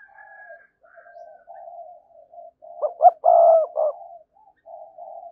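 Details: A spotted dove kept as a lure for wild doves; soft continuous murmuring builds into one clear phrase of short rising notes and a longer deep coo, then fades back to quiet cooing.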